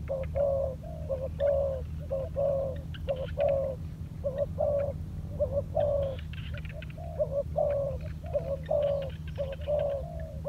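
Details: On the ground in training, a spotted dove decoy coos steadily, with short notes and drawn-out falling coos in quick succession, at times overlapping. A constant low-pitched hum runs underneath.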